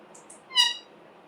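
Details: Green parrot kept as a talking bird: two faint high squeaks followed by one short, loud, harsh squawk with rich harmonics, in a quiet setting.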